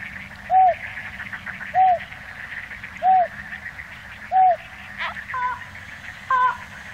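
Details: Slaty-legged crake (Rallina eurizonoides) in Tainan, Taiwan, 9 December 2019, calling short, low, arched notes about every 1.3 seconds, ending with a few harsher doubled notes over a steady insect-like hiss.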